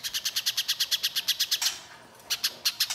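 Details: Little spiderhunter calling vigorously in a harsh lure recording: rapid, high, clipped chips at nearly six per second, breaking off after about sixteen notes, then a short pause and a few scattered chips.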